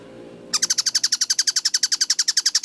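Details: Tengkek buto kingfisher bursting in after a brief low hum: a quick, regular volley of bright, sharp, falling notes, around ten each second, loud and clear.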